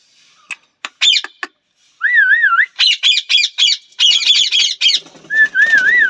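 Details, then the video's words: Parrot calling: scattered clicks, then wavy siren-like whistles followed by a rapid series of harsh, raspy squawks repeated about four per second, ending in another undulating whistle. "parrot voice,natural parrot sounds"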